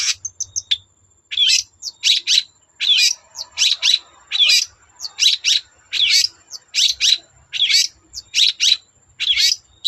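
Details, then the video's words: Long-tailed shrike singing to prompt other shrikes to sing, with a steady rhythm of harsh scratchy phrases roughly every second, mixed with short whistled twists. "Burung cendet gacor Bikin cendet bahan terpancing ikut gacor"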